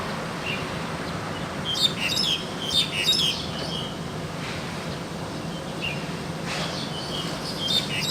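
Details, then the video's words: Actively singing wild crested myna giving scattered clusters of sharp chirps and brief whistles, irregularly spaced with quiet gaps between bursts, set against constant low rumbling noise. "Burung jalak hongkong liar gacor"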